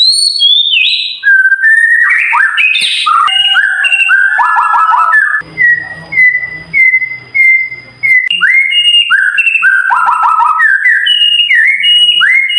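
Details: White-rumped shama song used as daily tutor audio for caged birds, sharp, clear and long rolling: loud whistled phrases with falling slurred notes, a run of short level whistles repeated near two per second in the middle, then varied whistles again.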